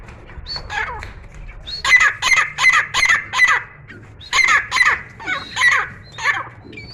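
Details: Indoor Grey francolin in continuous song: strident phrases of four or five rapid, evenly spaced harsh notes, separated by short pauses, over low room hum.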